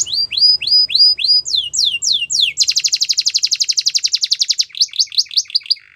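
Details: Canary song for training young canaries: slow repeated rising-falling whistles give way to a very fast, even rattle-like trill, then a few looping whistled notes to close.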